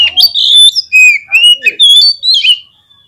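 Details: Song of a white-rumped shama used to make the bird sing: a sequence of clear, loud whistled notes, some sliding up and down, with a soft low note in the middle, ending in silence.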